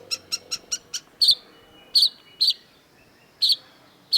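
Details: Long-tailed shrike (cendet), masteran tutor recording: a rapid run of five or six sharp ticking notes, then louder harsh, buzzy double notes at irregular intervals.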